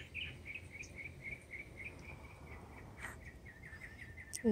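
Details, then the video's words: Mockingbird song: a quick row of soft repeated chips that slows and fades into weaker notes, ending with a sudden louder low sound at the close. "Mockingbird serenade"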